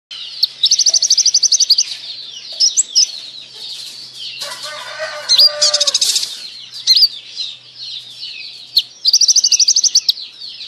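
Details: Red-breasted sunbird in full song. Rapid series of high, thin chirps runs into fast trills, with sweeping squeaky notes between bursts and a short lower, buzzy passage in the middle.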